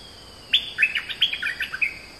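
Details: Oriental magpie-robin delivering a brisk phrase of sweet whistles and scratchy chirps over a steady faint hum.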